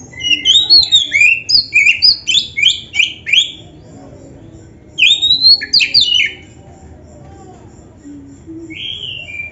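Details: Oriental magpie-robin in full lively song with a varied, ornamented phrase for training: a fast run of high, chirpy whistled notes about twice a second, a short pause, then a second burst and a lone descending whistle.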